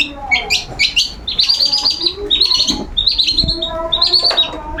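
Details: Long-tailed shrike singing loudly in the open ngeplong style during its routine sunbathing, refusing to stay quiet: bright chirps, then a run of sharp high repeated notes, with faint lower tones beneath.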